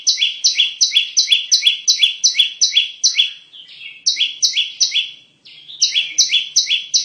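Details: Bar-winged prinia used to lure birds for trapping, pouring out rapid repeated high chirps, each stepping down in pitch, in three bursts separated by brief gaps, roughly two to three notes per second.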